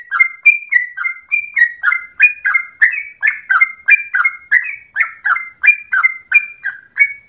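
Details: Yellow-vented bulbul (trucukan) singing constantly in a long, rapid song that resembles a straw-headed bulbul: quick run of short whistled notes, rising and falling, about three per second, clear with no other sounds.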